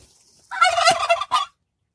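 A turkey gobbles once, a rapid rattling burst of about three-quarters of a second followed by a short second note, with otherwise quiet surroundings.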